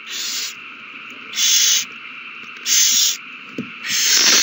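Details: Nesting owls in a food frenzy after a mouse is passed between them, 21 March 2020: four sustained, rasping hisses, each about half a second, evenly spaced over several seconds.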